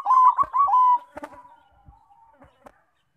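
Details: Zebra dove of the Bangkok type, used as a lure to draw other doves into song: a quick run of pulsed coos ending in a longer held note, then faint clicks and rustling.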